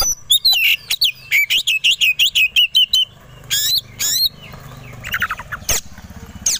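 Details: Oriental magpie-robin, known locally as kacer, in provoking fighting song: a steady chain of sharp downslurred whistles, about three per second, then harsh bursts and a lower trill with faint engine hum beneath.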